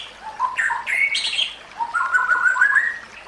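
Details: White-rumped shama training song: short whistled notes jumping between low and high pitches, then a rising, stepped series of slurred whistles, over a soft background hiss.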